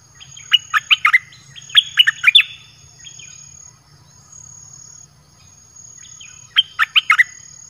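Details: A red-whiskered bulbul in a cage sings to lure wild birds, giving two quick phrases of sweet whistled notes close together, a long quiet pause, then a shorter closing phrase of four or five notes.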